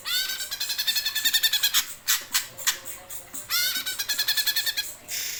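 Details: Greater green leafbird giving geroll song: long runs of quick, rolling repeated notes with rising metallic overtones, interrupted by several loud rasping squawks, then another rapid rolling run and a closing buzzy note.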